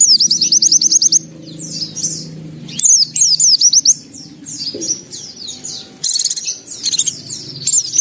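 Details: White-eye in vigorous song opens with a fast run of high repeated notes, then varied chirping phrases with shifting pitch, delivered in quick bursts; low background hum throughout.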